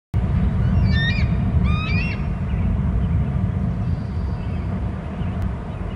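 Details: Wild bald eagle pair calling together at their nest territory on Hornby Island: two quick bursts of high, stuttering, chittering notes about a second apart, over steady low wind rumble.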